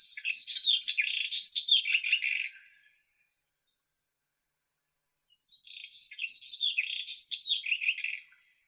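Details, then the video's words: White-throated robin (Irania gutturalis) gives two bursts of rapid, scratchy, high warbling song, each about three seconds long, separated by a pause; the background is quiet. "Как поёт Соловей белошейка"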